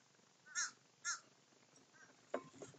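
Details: Crows feasting as a group; two harsh, raspy caws about half a second apart, followed by a fainter rough note and a dull knock.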